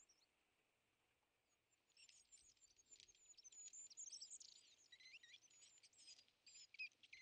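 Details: European greenfinch at a winter feeder, a species that chases away tits, sparrows and nuthatches there; after a quiet start, dense high twittering and chirping notes overlap in a busy, irregular chatter.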